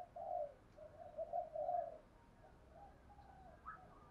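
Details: Female decoy spotted dove calling to draw wild doves in quickly. Low, mellow coos come in a cluster of three during the first two seconds, then fainter notes follow over a steady background hiss.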